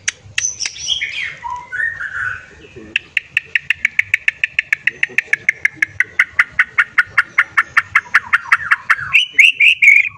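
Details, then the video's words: White-rumped shama song aimed at stirring other shamas into answering with their songs: opening slurred whistles, then a long, even rattle of rapid staccato notes gradually dropping in pitch, ending in a few bright twittering phrases. "JEBOL BIR4HI DAN EM0SI setiap murai yang mendengar langsung nyaut dan bongkar isian"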